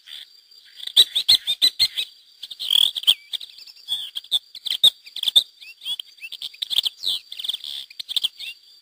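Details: Wild pair of Lesser Grey Shrikes (Lanius minor) with chicks, released by hacking in 2009, Mas de Melons–Alfés SPA, Lleida, Spain: rapid, scratchy high chirps in irregular bursts, several birds calling at once over a steady thin high hum.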